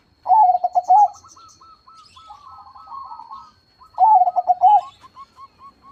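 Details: Zebra dove, a crossbred bird singing actively with a powerful voice: two loud bubbling coo phrases of quick pulsed notes, about four seconds apart, with softer cooing doves filling the gaps.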